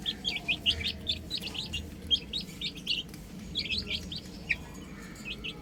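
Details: Chicks, baby hens playing on a roof, peep in a dense chorus of short, high, bright notes that overlap in quick bursts, with a low steady hum underneath throughout.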